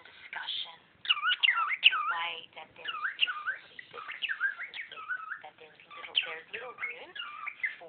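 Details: Cockatiel kept as a pet chatters over a lecture and at its owner's toes: continuous high, twisting whistled phrases and rough chirps running together, with a quiet start before the bird begins.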